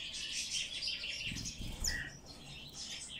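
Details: Bird chick begging while being hand-fed, giving noisy high rasping cheeps in quick bursts, with a short thin whistled note and soft handling sounds.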